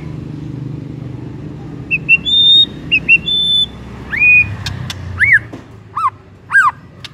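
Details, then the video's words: White-rumped shama lure song for triggering another shama: after silence, clear, level high whistles, then separate arched, down-slurred whistled notes about once a second. "EFEKTIF BIKIN MURAI JADI AGCOR DALAM HITUNGAN DETIK DENGAN PANCINGAN INI"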